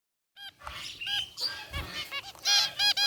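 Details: A group of caged zebra finches, white and gray varieties, chirping in an aviary: short nasal, honking beeps with stacked harmonics, repeated quickly and irregularly, several birds overlapping, the loudest bursts near the end.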